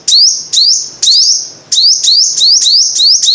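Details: Five-coloured sunbird call series: high, sharp rising chips run together into near-continuous ringing tones, coming faster toward the end of the phrase.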